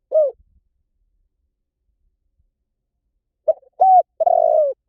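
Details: Spotted dove giving its call: one mellow coo, a long pause, then a three-part phrase of a brief note, a rounder coo and a long, gently quavering, falling final crooo.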